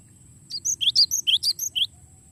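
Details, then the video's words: Long rolling cinereous tit song meant for training songbirds: a rapid train of about nine crisp, high notes, slurred whistles swapping with thin chips, lasting about a second and a half over a quiet background hum. "suara glatik batu ngeroll panjang"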